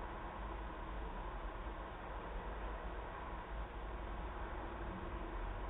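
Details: Only a steady broadband hiss and low rumble are heard throughout, with no animal calling.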